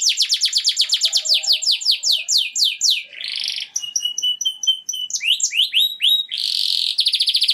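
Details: Canary singing to prepare hens for mating, with a fast even trill, descending slurred notes, a buzzy burst, thin clipped whistles and a final rapid rattle.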